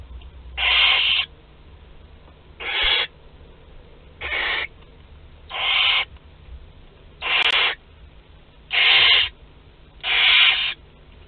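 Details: Barn owl chicks between two and twelve days old at a shared meal, Théding, France, 29 April 2021; short rasping hissed screeches repeated steadily about every one and a half seconds, seven in all.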